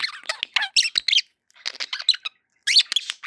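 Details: Happy pet budgerigars chattering: dense bursts of quick squeaky, scratchy notes and short warbles, broken by brief pauses near one and a half seconds and again before the final burst.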